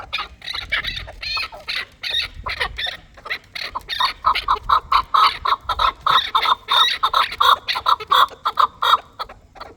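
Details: Chukar partridge, a fighting bird, in a sustained rhythmic series of clucking chuk notes that speeds into a steady chattering run in the second half, over faint low rumble.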